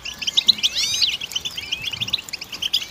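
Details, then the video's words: Goldfinch singing a quick, jangling run of high chirps with a few rising and falling slurred notes, set over a faint background hiss. "Goldfinch Song"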